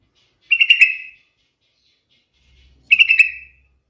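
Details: Yellow-vented bulbul (trucukan) song, a melodious lure for other birds: two brief gurgling, slightly descending phrases, each about 0.7 seconds, separated by a two-second pause, with a quiet low rumble before the second.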